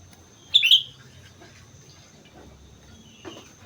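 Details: Single quick whistled phrase from a Sooty-headed bulbul singing actively on Mount Slamet, a bright two-part warble followed by near-silence and a faint distant note.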